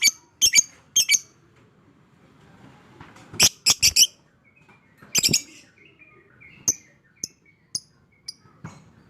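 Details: Shrill bursts from a fighter lovebird, with piercing notes in tight clusters of two to four separated by pauses, then scattered single squeaks. It is a 'ngekek panjang' chatter meant to prompt quiet lovebirds to sing.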